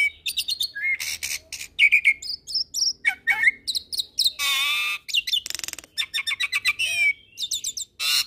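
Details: Asian pied starling, Nias myna and Nias x pied starling hybrid song mix: a long, varied run of sharp chirps, rising whistles, harsh rasping stretches and rapid stuttering trills, with barely a pause.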